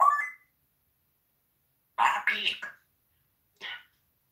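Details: Cursing pet parrot chatting with its owner indoors during a live stream. Opens with a loud rising squawk, then a raspy two-part speech-like phrase and a short hoarse syllable after a pause.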